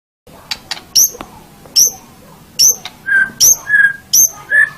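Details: White-rumped shama song used as a master recording for training songbirds: short sharp high notes alternating with clear whistled notes, phrases repeated about every half second.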